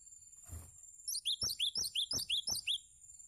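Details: Song of a cinereous tit meant for teaching other birds: after a soft rustle, about eight sharp, rising whistled chirps follow in quick regular succession, with occasional clicks and a steady high hiss.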